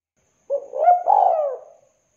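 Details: A vocal local spotted dove gives one cooing phrase: a short opening note, then a swelling, drawn-out coo that slides gently downward and fades out. Nothing else is heard.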